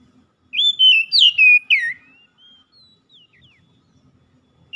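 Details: Song of an oriental magpie-robin, used to help a stressed bird recover its voice: five loud whistled phrases with steep downward slides, followed by soft, scattered chirps.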